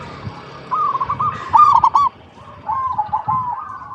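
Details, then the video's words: Zebra dove song for luring other zebra doves into song: a stuttering coo phrase swells into a loud trill, then pauses before a softer rolling phrase follows. "PERKUTUT LOKAL GACOR PALING DISUKAI 🐦 Suara Asli Bikin Semua Perkutut Dimanapun Pasti Nyaut"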